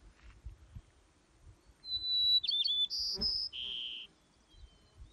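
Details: White-crowned Sparrow song in Denali National Park, Alaska: a clear high whistle, a quick warbled slur, then buzzy notes ending in a lower buzzy trill, all in about two seconds, over a faint low rumble.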